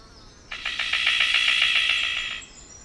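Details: Pulsing, rattling advertising call of a male Golden Bowerbird at his bower, given to attract a female: a single buzzy rattle of rapid even pulses lasting about two seconds, quiet before and after.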